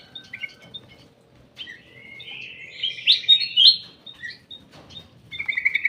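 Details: In a private aviary, a ruby-throated bulbul sings quiet chips, then a loud warbled phrase of sweeping whistles, followed by a quick string of repeated short notes at the end. Faint room noise runs throughout.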